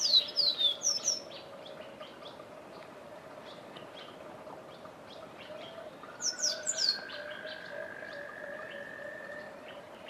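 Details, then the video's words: Forest canary song: two short bursts of high, sweet, quickly descending twittered notes over a steady low hum and a long, thin, level whistle; Forest Canary. "Forest Canary song"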